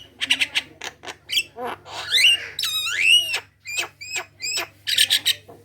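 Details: Javan myna singing as a lure for others: rapid stuttering notes leading into long swooping whistles that bend up and down, followed by evenly spaced clipped calls and a final chatter.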